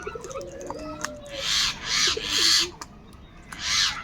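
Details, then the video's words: Crows fighting over food give harsh, hoarse caws. Four loud, broad rasping bursts come at roughly half-second spacing, then a pause before a final caw. Faint tonal whistles from other birds sound underneath. "Kaka sound and noises of Crow birds | different kauwa ki awaz - কাকের ডাক Crow Sound Loudly"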